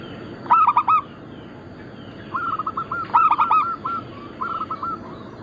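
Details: Active song of zebra doves, local crossed with Bangkok type: loud clusters of rapid rolling coo notes alternating with softer drawn-out coo runs from other doves, over a steady hiss.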